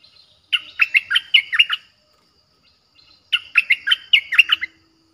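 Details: Streak-eared bulbul lure song, fierce in style, played to wild birds: two bursts of lively bubbly warbling about three seconds apart, in an otherwise quiet background.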